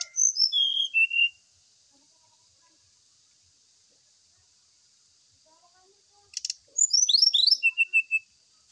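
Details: Lure song of the brown-chested jungle flycatcher for birds exposed to the morning dew. A quick series of falling whistled notes is followed by silence. Then comes a buzzy burst, a run of steep rising and falling slurs and short level whistles.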